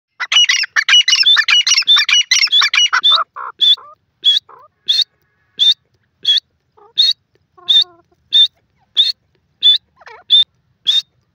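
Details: Grey francolin, locally called sindhi or dakhni teetar, giving a clear, high-pitched call: a fast burst of chattering notes, then high, sharp notes repeated at a steady pace of about three every two seconds.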